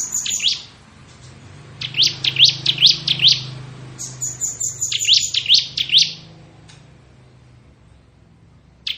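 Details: Ngebren-style song of a crystal-type bar-winged prinia: clusters of quick, piercing, high chirps delivered in bursts of several notes, with a faint hiss and low rumble in the background.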